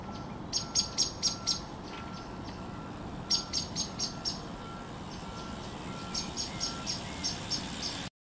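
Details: Common blackbird calling, 10 April 2021: three bursts of sharp, high clicking notes, the last one quieter and more distant-sounding, with a faint steady low tone and background rumble throughout.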